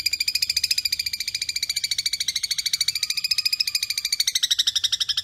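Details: Long-tailed shrike master song for training caged songbirds, kuntilanak linked with fighting sparrow, speed roll style: a rapid, steady, buzzy high chatter of about three and a half notes per second throughout, with a faint low tone midway.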